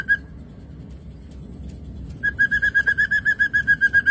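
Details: Ashy drongo song from a lure track: a single whistled note, a pause with faint clicks, then a regular run of clear, mid-pitched whistled pips about four a second.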